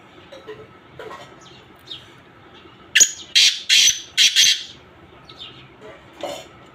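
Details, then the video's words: Black francolin mixed calls. After faint scattered chirps, a loud grating phrase of four harsh rasping notes runs for about one and a half seconds, then one more softer note follows. "کالا تیتر کی مکس آوازیں"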